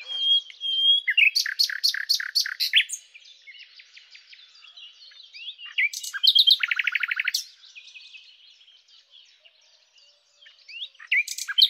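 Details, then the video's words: Common nightingale song with loud repeated broadband notes, a long soft middle passage of thin twittering, a rapid buzzing trill near the middle, and a fresh outburst at the end. "#Common_Nightingale (Luscinia megarhynchos)"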